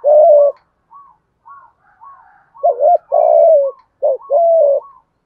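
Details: Spotted dove cooing in the thúc gù thổ-voice style for provoking decoys: a loud long coo, then soft faint notes, then two strong short-then-long coo pairs near the end.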